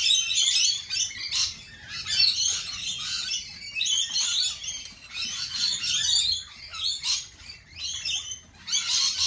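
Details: Groups of lorikeets screeching in shrill, chattering bouts a second or two long, broken by brief lulls, with harsh high notes piling over one another.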